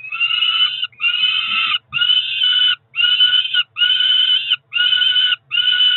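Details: Peregrine falcon chicks about four weeks old, ringed nestlings at Cromer in June, sing for breakfast: seven loud rasping screams, each under a second, repeated almost every second with little variation.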